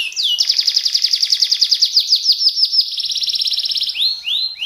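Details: Canary singing a long fast roll of repeated high falling notes, shifting to a quicker steadier trill, then ending with slow upward-swooping whistles.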